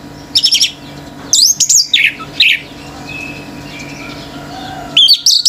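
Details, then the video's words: Orange-headed thrush in full 'gacor' song, provoking other birds: loud bursts of varied sweeping whistles and harsh notes separated by short gaps, with soft chirping from other birds in between. "ANIS MERAH GACOR TELER‼️BURUNG LAIN IKUT NGAMUK‼️"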